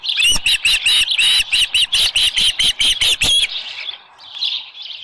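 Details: Osprey calling at its nest at Dunrovin Ranch, 24 July 2018, shortly before 7 AM, with a headless fish. About a dozen loud, clipped whistled chirps in quick, even succession over three seconds, then fading softer notes.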